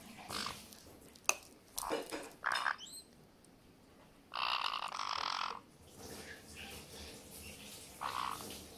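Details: Two pet white-bellied parrots eating blueberries for the first time; harsh, buzzy gurgling bursts, each under a second, mixed with sharp clicks and rustles from feeding, the grating 'gyurugyuru' voice given when food tastes good.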